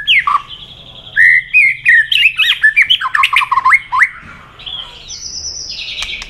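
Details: Fired-up white-rumped shama singing competitively with many voices: varied loud whistles, slurred and warbled phrases jumping between pitches, ending in higher sustained whistled notes.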